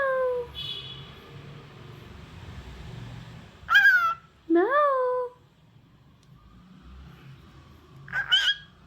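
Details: Cockatiel kept as a talking pet uttering loud, nasal, harmonic phrases that bend down, then up and over, with a later short, wavering burst, while a person's soft voice is heard faintly around them.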